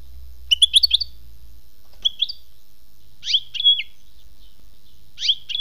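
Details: European goldfinch, khmis melyana song style. A quick run of sharp ticking notes leads into several bright, buzzy twittered phrases with a sustained whistled note, spaced one to two seconds apart.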